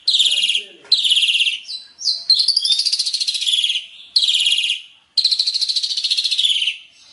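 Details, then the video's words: Asian pied starling singing a full-filled song: loud, harsh buzzy phrases, each about a second long and rapidly pulsed, falling slightly in pitch. Five bursts are separated by short pauses, with a clean background. "Kicau Burung JALAK SUREN isian KOMPLIT"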